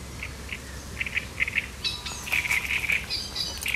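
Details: Great reed warbler, 1 July 2020: sharp, chattering song opening with spaced, clipped notes, then loud, rapidly repeated rasping syllables in quick succession, over faint low noise.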